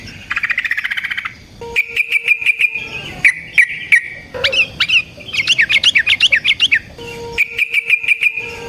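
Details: Energetic Yellow-vented bulbul song meant to provoke other bulbuls into answering, with long rolls: rapid buzzy trills alternate with bright chattering phrases and sharp slurred notes, plus a steady low tone in the background.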